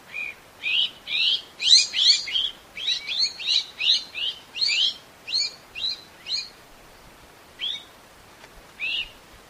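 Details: Rapid rattling chatter of a Eurasian magpie, harsh staccato notes tumbling out almost three per second, then slowing to a few spaced calls.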